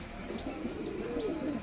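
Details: Punjabi Malwai pigeon, a domestic breed from Canning, South 24 Parganas, West Bengal, India, giving a faint low coo that rises then falls over about half a second near the end, with soft background hiss.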